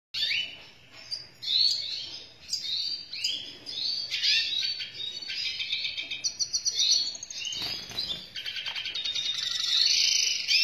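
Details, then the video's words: Vigorous, melodious song of a black-hooded siskin: long runs of high, rapid twittering and buzzy trills, with sweeping whistled notes and a dense chattering stretch near the end. "𝙱𝙷𝚂(𝘣𝘭𝘢𝘤𝘬 𝘩𝘰𝘰𝘥𝘦𝘥 𝘴𝘪𝘴𝘬𝘪𝘯) 𝘴𝘪𝘴𝘬𝘪𝘯 𝘬𝘶𝘯𝘪𝘯𝘨 𝘨𝘢𝘤𝘰𝘳 𝘮𝘦𝘳𝘥𝘶 𝘣𝘢𝘯𝘨𝘦𝘵𝘵"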